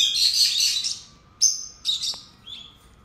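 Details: A long scratchy buzz of high chatter opens, followed by three short shrill squeaks with gaps between them, from a pair of pet lovebirds; low background hum.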